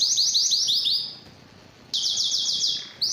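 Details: Canary giving a series of repeated rising, whistled notes about six per second, falling silent for nearly a second, then returning with another fast run of similar rising notes.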